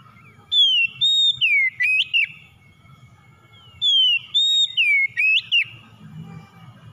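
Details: Song of a white-rumped shama, for making a stressed bird start singing; the same whistled phrase given twice about three seconds apart, each a falling whistle, steady note, downward slide and sharp rising flourish.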